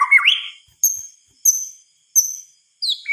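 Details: White-rumped shama at night: a short warbled phrase, then single thin high notes spaced well apart in a quiet setting.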